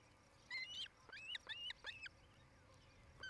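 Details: Osprey calling at a nest near Charlo, Montana, captured by a nest camera on 07-08-2018 around 17:00: loud, piercing whistled chirps with bent, rising-falling notes, given in quick clusters.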